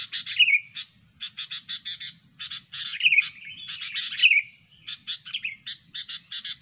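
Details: Sooty-headed bulbul recording used to lure birds for trapping: bursts of rapid buzzy chatter in short series, interrupted three times by a quick bright whistled flourish, with brief pauses between phrases.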